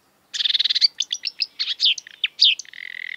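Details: Marsh warbler (Acrocephalus palustris) in lively song: a quick buzzy rattle, then a jumble of varied high chirps and slurred whistles, ending in a fine dry trill.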